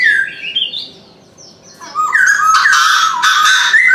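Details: Chinese francolin calling in the morning: after a spell of thin chirps from other birds, loud harsh harmonic notes follow in a rapid run of hooked phrases, with a busy background of small birds twittering.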